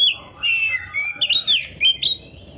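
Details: A vigorously singing kacer, or Oriental magpie-robin, from a songbird-training recording, giving squeaky, twisting whistled notes in quick short phrases.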